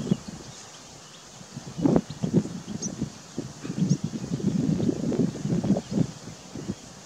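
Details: Northern shoveler: low, hollow pulsed notes given in irregular bursts through most of the recording, with steady wind noise behind.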